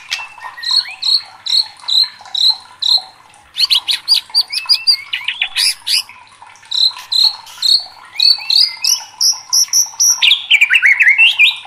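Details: Excited white-rumped shama singing loudly. A steady run of short, bright whistled notes repeats about twice a second, then turns into a busier medley of chips, whistles and descending slurred phrases.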